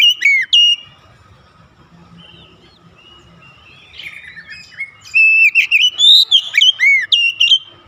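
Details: Oriental magpie-robin calling in rhythmic song: a couple of sharp notes, a long soft warbled passage, then a loud lively run of clear whistles and dropping slurs repeated quickly.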